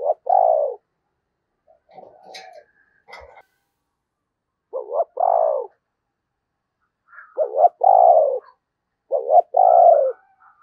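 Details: Spotted dove decoy bird cooing during the Tet season to lure wild doves: two-part coos, a short wavering note then a longer falling one, repeated in phrases with a few faint scratchy noises between.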